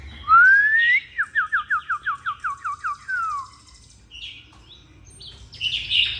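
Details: Caged oriental magpie-robin kept at home, singing a long phrase: a clear rising whistle, then a rapid run of about ten repeated downslurred notes and a falling whistle, followed by quieter scratchy notes.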